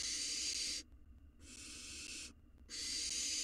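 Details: Hungry wild barn owl nestling in a monitored nest box, swallowing a mouse whole; harsh, breathy hissing bursts, three long rasping hisses of under a second each separated by short quiet gaps, with faint low background rumble.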